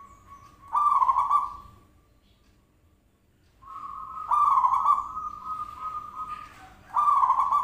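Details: Zebra dove used as a lure to make birds answer: a rolling, vibrant coo, then a long, even, humming note that runs into another rough coo.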